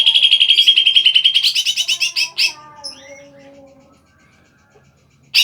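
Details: Greater green leafbird singing with lively, chattering song: a fast run of about twenty sharp, high repeated notes over two seconds, rising into varied whistled phrases and softer descending warbles, then fading to quiet.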